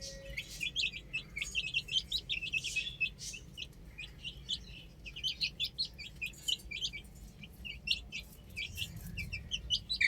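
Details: Young chickens on a roof chirp in a steady stream of high, short peeps for ten seconds, dense early on, with a faint low rumble near the end.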